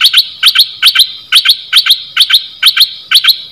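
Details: Bulbul kept as one of three decoy birds, giving sharp paired chirps, each a quick double note with bright upper overtones, repeated steadily about once a second throughout.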